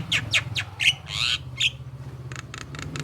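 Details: Javan myna song used as a lure so other mynas answer: harsh grating squawks and a rasping burst, followed by a run of rhythmic buzzy pulses, with a low hum beneath.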